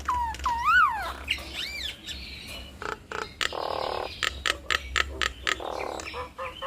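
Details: Nias hill mynas in a duet that stirs other mynas into calling: wavering, looping whistles rising and falling, then harsh rasping bursts broken up by sharp clicks.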